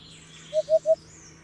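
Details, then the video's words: A single burst of three low, evenly spaced hollow hoots from a Hoopoe over a quiet background, with faint high bird notes. "Hoopoe sound || The most beautiful sound of Hoopoe bird"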